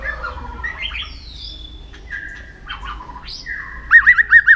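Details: Training song of a white-rumped shama, played to push shamas into contest singing: long level whistles and descending slurs, ending with loud repeated warbled notes.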